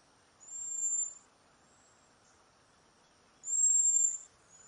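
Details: Two loud, thin, high-pitched whistled notes about three seconds apart from a cedar waxwing in a backyard flock passing berries and insects, each lasting under a second, over an otherwise quiet background.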